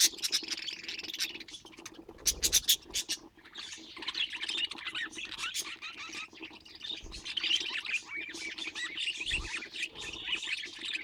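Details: Pet budgerigars of rare colour mutations chattering together: a dense, continuous warble of scratchy chirps and squawks. Brief sharp clicks break through around the middle.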